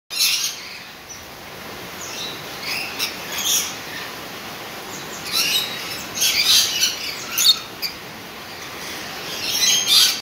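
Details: Lorikeet pairs at play, courting, preening and feeding each other, give shrill, harsh screeches in short irregular bursts, several close together, over a faint steady hiss.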